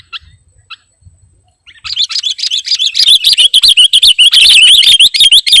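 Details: Lure recording of a sooty-headed bulbul singing vigorously. After two faint early notes, a rapid, continuous run of bright chattering chirps builds up and keeps going at a quick, fairly steady pace.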